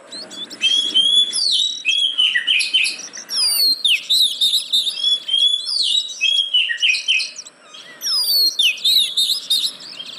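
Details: Oriental magpie-robin singing a lure for reluctant caged birds: rich, unbroken phrases of loud whistles, trills and down-slurred notes, varied and fast, pausing only briefly.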